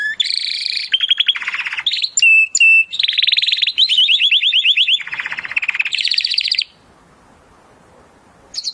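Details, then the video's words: Timbrado canary singing for a training recording meant to improve other canaries' song: dense rolling trills, buzzy tours and two short whistled notes, ending in near silence with faint hiss before a brief final phrase. "AUDIO mas PODEROSO de TIMBRADO para el ENTRENAMIENTO"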